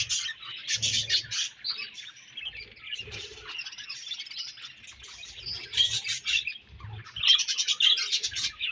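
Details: Many budgerigars chirping together in a colony, continuous busy chatter of squeaky, buzzy notes with louder bursts of scratchy squawks, plus occasional soft low knocks.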